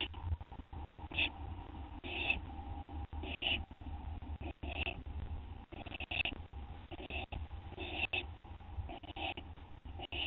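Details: Owl finishing a gopher at 2:56 AM on 10 September 2011: repeated short hissing, raspy bursts roughly every second, over low rumbling background noise.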